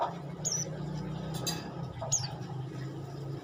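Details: Olive-backed tailorbird giving two loud, thin, high whistled notes that drop in pitch, spaced about one and a half seconds apart, with a low droning hum and a brief rustle between them.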